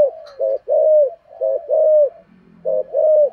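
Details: Calling spotted dove, a decoy bird with a thổ-style voice, repeating a two-part coo: a brief low note then a longer mellow drawn coo, three times, with a faint low rumble between phrases.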